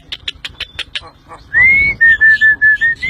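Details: Tame pet Javan myna singing actively: after a burst of short, clipped notes, it gives a rising whistle, then a run of five or six steady, even whistled notes in quick succession, with low handling noise underneath.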